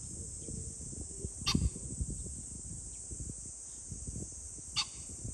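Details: On 21 July 2024 a pheasant gives two abrupt, rasping calls roughly three seconds apart, set against constant high-pitched hiss and a low rumble of wind.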